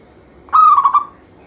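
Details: Local zebra dove, singing to spur other doves into song, gives a lone phrase: a long steady coo, then a stuttered run of short notes ending abruptly, against soft background noise.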